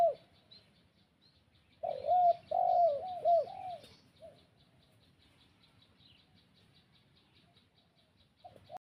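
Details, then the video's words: Spotted dove used as a decoy to call in wild doves: a short run of low rounded coos, then long quiet with faint high ticking sounds. "pikat sirimba memanggil burung tekukur liar"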